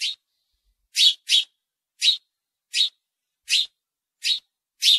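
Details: House sparrow repeating short, bright cheeps, eight notes in quick irregular succession, two of them nearly back to back.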